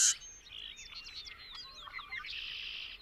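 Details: Bobolink delivering a short effervescent burst of slurred, bouncing, metallic notes after a loud sharp onset, trailing into a buzzy hiss.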